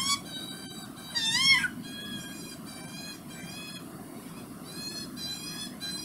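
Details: Juvenile Australian magpie in Perth, able to feed itself, begging from a parent that still feeds it; drawn-out, nasal, wavering whines repeated, one louder rising-and-falling squeal near the start.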